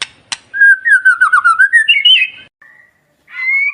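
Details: Magpie-robin song played to coax a captive bird into singing: a rapid trill of whistled notes wavering then rising, followed by a pause and a short, softer sustained whistle.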